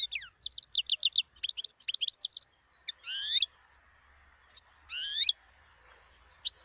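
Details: A wild European goldfinch opens with a fast run of bright twittering notes, then gives two drawn-out nasal rising notes and a few isolated chips, in quiet surroundings.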